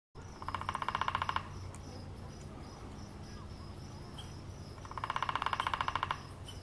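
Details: Woodpecker drumming while tent camping at Sand Dunes State Park, Minnesota: two rapid, even bursts of knocks, each about a second long, separated by a quiet gap of steady low background hum.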